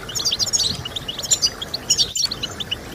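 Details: Short burst of European goldfinch song, used to stimulate singing: sharp, sweet chirps and twittering notes in quick clusters, briefly broken by a tiny gap.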